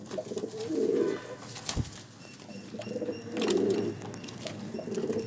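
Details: Deep, rounded pigeon coos in separate swelling bursts about two seconds apart, with a sharp knock between the first two phrases.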